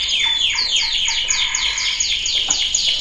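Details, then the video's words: Training song of a male canary: steady repeated downward-sweeping whistled notes, about four per second, with a thin sustained high tone underneath throughout. "Kanarya Eğitim Sesi Erkek / Kanarya Eğitim Ötüşü"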